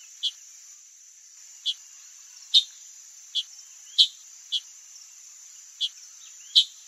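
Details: Wild chalk-browed mockingbird in Brazil calling: short, harsh, clipped single notes at irregular intervals, roughly one every second, over a constant high, steady insect drone.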